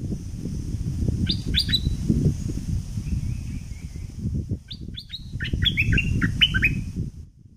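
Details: Southern Thick-billed flowerpecker decoy sound: a few sharp high chirps, a faint thin trill, then a livelier burst of descending chirps, all over a constant low rumbling background.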